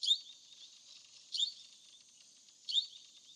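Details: Wild plum-headed parakeet giving sharp, high-pitched calls, used for communication within a flock. Three short, bright squeaky notes about 1.3 seconds apart over a steady high hiss of background noise.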